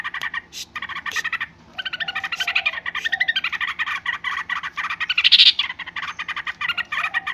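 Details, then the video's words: Yellow-vented bulbul giving noisy, chattering calls: dense bursts of bubbly, slurred notes that run almost without pause, briefly breaking off near the start and swelling louder toward the middle. "suara trucukan ribut"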